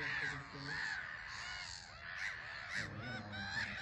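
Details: Black-headed gulls calling from a busy island colony at RSPB Frampton Marsh, harsh rasping cries overlapping continuously, with low rumbling background noise.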